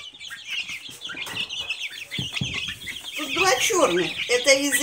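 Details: A brood of Silkie chicks cheeps busily in high, short notes; a lower voiced sound with harmonic layers joins near the end.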